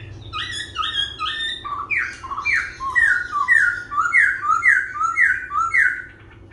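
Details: Laughingthrush dancing while it sings and changes voice: a series of about twelve paired whistled notes, each slurring downward, delivered in a quick regular rhythm, with a faint low hum.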